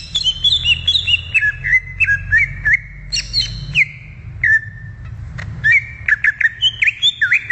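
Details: Greater green leafbird singing in the wild: a rich run of clear whistled notes with quick slurred bends, jumping between high and mid pitches, with short pauses and a low steady hum underneath.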